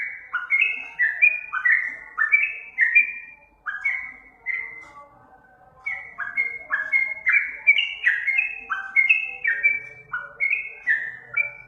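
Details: Sooty-headed bulbul singing, a master recording meant to make caged birds respond: two long bursts of quick fluty whistles, stepping up and down in pitch, separated by a brief pause near the middle.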